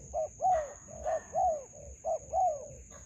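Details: Spotted dove in a melaleuca grove, decoy trapping scene: a few mellow drawn-out coos, short note then falling longer note, with faint rustling and a persistent high insect tone.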